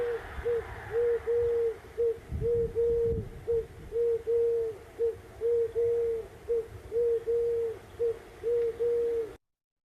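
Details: Eurasian collared dove, a common US farmland bird, cooing in a very rhythmic, repetitive three-note pattern, low and hollow and often mistaken for an owl, with a faint low rumble beneath.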